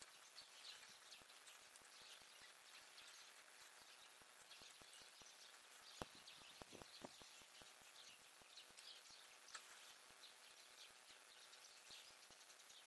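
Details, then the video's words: Woodpecker working at a feeder, 6 February 2020: long run of quick, irregular dry taps, with a brief flurry of louder knocks midway, set against continuous high-pitched hiss and faint bird twitter. "Дятел на кормушке"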